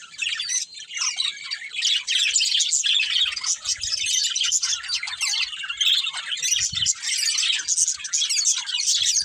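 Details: Chattering budgerigars from a breeding pair and family keep up an unbroken, busy stream of high, scratchy twitters and warbled chirps, several birds overlapping.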